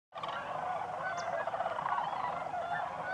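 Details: Sandhill cranes gathered during October autumn migration at Crex Meadows State Wildlife Area, a sedge wetland in northwest Wisconsin, at evening or early morning: a dense, continuous chorus of overlapping rolling, trumpeting calls from a large flock.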